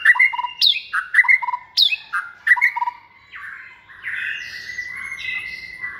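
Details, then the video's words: Second-season captive white-rumped shama, raised from a chick and described as multi-voiced and bold, repeats sharp chipping phrases with falling whistles about every half second, then a softer sustained warble. "chòe lửa dáng sẻ, hót cực bền nết chuẩn đấu giàn"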